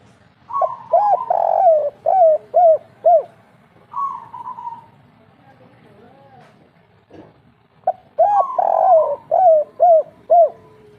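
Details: Spotted dove of the local kuk 3 song style, singing vigorously, used to lure lazy doves into singing: two bursts of rolling, hooked coos repeated about twice a second, each opening with a drawn-out wavering note, separated by a quiet pause.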